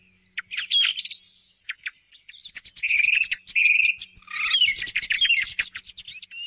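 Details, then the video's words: Lure recording of thrush song for hunting at dawn: an opening whistled phrase with a long thin note, then loud varied chirps, steady whistles and a busy chattering finish. "صوت السمن لصيد الصباح"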